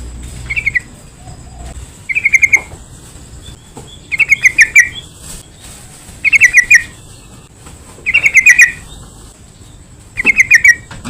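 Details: Yellow-vented bulbul used as a lure for other bulbuls: rapid bubbling phrases of four to six chattered notes, repeated roughly every two seconds, over a constant thin high hiss.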